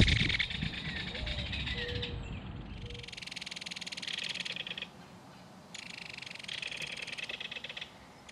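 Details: Belted kingfisher chatter between adult and baby at a nest burrow in a mud bank: dry rattling bursts in several runs, with a low rumbling background and a few faint tonal notes early on.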